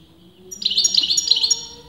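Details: European goldfinch, a caged bird whose sex is disputed by breeders, giving a brief burst of rapid twittering notes high in pitch, lasting about one second.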